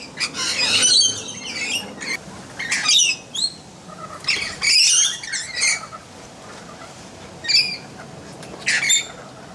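Red-collared lorikeet giving harsh, high screeching squawks in bursts of about a second, separated by short pauses, with a faint rustling background.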